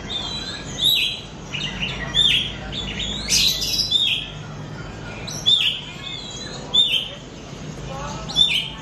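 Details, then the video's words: Pet Oriental magpie-robin song used as a lure recording to get other kept birds singing; sharp, bright whistled notes and short chirps come in clusters roughly every second or two over a faint hiss. "PANCINGAN KACER BAHAN BARU BELAJAR BUNYI"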